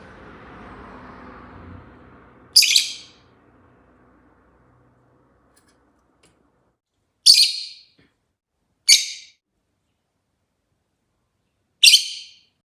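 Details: Chatty rosy-faced lovebird chirping: four short, bright, high chirps spaced several seconds apart, the first after a soft low rustle, otherwise a quiet room.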